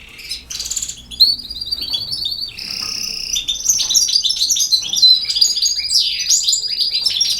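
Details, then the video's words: A European goldfinch sings in the campero style, opening with scattered chirps, then launching into a sustained, fast twittering stream of tinkling notes and slurred whistles that grows louder toward the end. "El Jilguero BiH 25"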